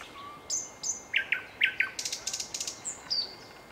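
A nightingale sings a varied phrase: high thin whistles, short scratchy notes, then a rapid dry rattle and a falling whistle, all in under four seconds.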